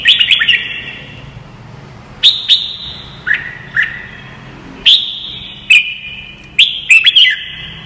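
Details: Red-whiskered bulbul training song for young birds to learn: a string of short, sharp whistled phrases, some dipping lower, repeated every second or so, each trailing a reverberant tail.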